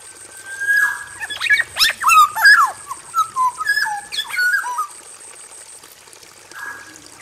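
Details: Male black-naped oriole in an aviary, singing actively: a long flat whistle, then a burst of fluty, swooping notes and short slurred whistles over about four seconds, with a steady high hiss throughout.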